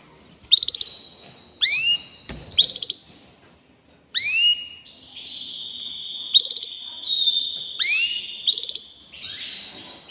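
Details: Singing canary with bright down-slurred whistles and quick rattling trills in bursts, between held high whistled tones. The phrases are separated by short pauses, with one brief silence near the middle.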